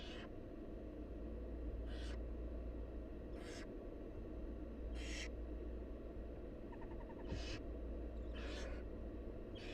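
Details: Begging from wild barn owl nestlings during a feed by the mother: seven or eight rasping, breathy hisses at irregular intervals, with a faint brief chittering near the middle, all over constant low-frequency hum.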